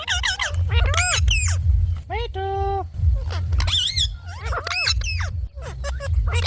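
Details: Pet talking Indian ringneck parakeet giving sharp chattering squawks and one steady buzzy nasal note, bursts repeated at an uneven pace over a strong low rumble.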